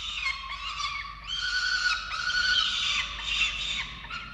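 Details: Falcons at a nest camera in Orange, Australia, during chick feeding on 13 November 2022: harsh, strained wailing calls with rich harmonics, run together in a rising and falling stream with no clear gaps.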